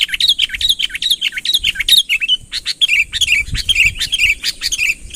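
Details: Sooty-headed bulbul, calling energetically to lure a rival nearer, without learned songs: lively run of rising and falling liquid whistled notes, fast and continuous, with some soft low rumbling.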